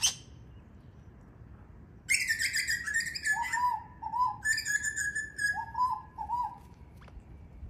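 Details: Australian king parrots at a doorway in a group of males and females described as a power struggle; loud whistled notes, some in short rising-falling pairs, over busy chattering calls, with a sharp first note.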